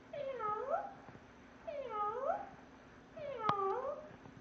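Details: A pet parrot in a portable cage gives three convincing cat-like meows, each about a second long, dipping then rising, about a second and a half apart over a faint steady hum.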